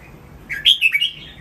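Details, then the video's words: A caged red-whiskered bulbul gives one brief training-song phrase: a rising slurred note, then a loud bubbly cluster of three clear whistled notes that fades out, in a quiet setting. "นกกรงหัวจุก ร้องเล่นริก"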